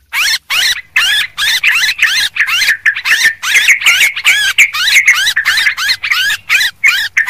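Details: Sooty-headed bulbul (Pycnonotus aurigaster) gives a noisy lure call, a dense run of bubbly, warbling chatter notes, about three per second without pause, in bright mid-high tones.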